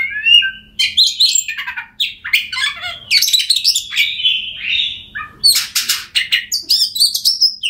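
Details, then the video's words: Oriental magpie-robin singing a recording meant to coax mute birds of its kind into song: varied phrases of clear whistles, slurred notes and harsh buzzy bursts, closing in quick, ringing chips. "Kacer Bisu, Dijamin Bunyi Setelah Mendengarkan Suara Kacer Ini.."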